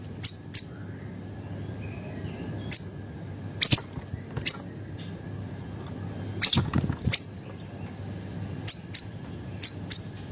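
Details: Vocal little siri-siri kept as a pet, used to train and provoke songbirds. Scattered high thin ticks, alone or in doublets, with a short cluster of rustling knocks midway and a faint hum.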